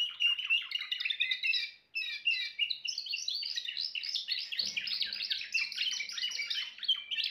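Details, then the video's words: Timbrado canary pours out rapid chattering trills, breaks off briefly, then continues in a sustained rolling song; a faint low hum appears in the background. "meilleur chant canari l chant canari timbrado"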